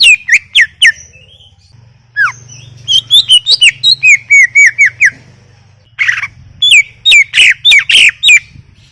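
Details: Greater green leafbird in energetic song, varied whistled notes, some dropping steeply, others flat and repeated in quick series, with a burst of chattering and a faint low hum throughout.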